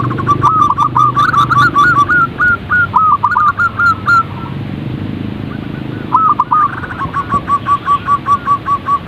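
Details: Zebra dove calling to draw a caged bird into song: bursts of soft, bubbly cooing notes, each with a quick upward flick, rattled off in fast runs, then a steady train of short identical coos after a brief pause.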